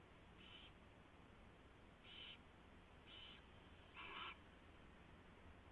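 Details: Owl at a nest around 4:21 AM on 24 February 2016, during a mouse delivery and feeding. Four short, harsh, hissy bursts come at uneven gaps, and the last is loudest and fullest. Steady background hiss throughout.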